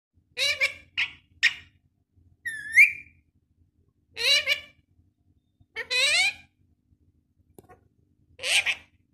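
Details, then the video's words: Parrot calling: about seven separate harsh, harmonic squawks and one rising then falling whistled note, spaced one to two seconds apart against a quiet background. "Parrot Voice Video ||Parrot Sound Video"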